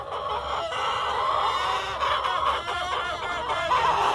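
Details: Cockerel and hens fill the yard with continuous overlapping cackling, harmonic and slightly buzzy, with a few quick clucked bursts rising out of the steady chorus.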